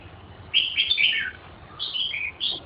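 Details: Red-whiskered bulbul song, fairly quiet: a run of bright warbling whistles, then two short, clear whistled phrases after a pause.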